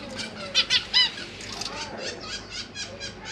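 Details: In a big cage, a zebra finch pair feeds three juveniles and three recently hatched chicks, recorded with a GoPro Hero 8 in January 2023; three quick nasal calls open, followed by a run of soft, buzzy repeated notes.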